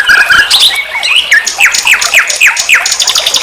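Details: Common nightingale song from a tutor recording used to train songbirds: a few scratchy notes, then a run of five sharp, downslurred whistles repeated about twice a second, with high trilling above.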